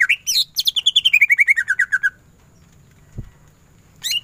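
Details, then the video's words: Greater green leafbird singing in the ngentrok style. A fast trill of about fifteen rapid notes steps steadily downward in pitch over two seconds. A pause follows with a single low thump, then a new rising whistle starts. "Cucak ijo gacor full tembakan ngentrok"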